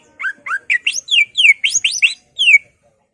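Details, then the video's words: Greater green leafbird singing, a song meant to provoke other leafbirds: a rapid run of loud whistled notes, first short rising slurs then longer falling sweeps, about ten phrases in under three seconds, with nothing else audible. "Pancingan Cucak Ijo merangsang emosi cucak ijo lain"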